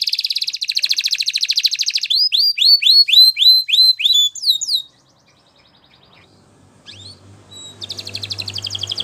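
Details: Canary in Spanish Timbrado style training song: a rapid buzzy rolling trill, then clear descending whistled swoops repeated about every third of a second, a short pause, and a renewed fast metallic trill.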